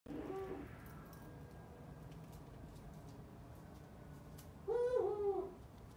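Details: A captive Eurasian eagle-owl (Bubo bubo) at an owl cafe in Tokyo gives two deep, short hooting calls about four seconds apart, the second louder and slightly rough, over a steady low hum.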